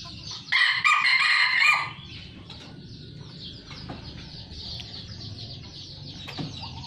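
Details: A farmed Sumatran red junglefowl (Gallus gallus) gives one short, clipped, harsh crow lasting just over a second, over a steady low background rumble with faint distant sounds.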